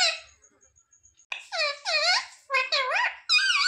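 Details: Pet parrot talking indoors: a faint high tone and soft clicks, then loud bending speech-like syllables, as if saying "mummy papa".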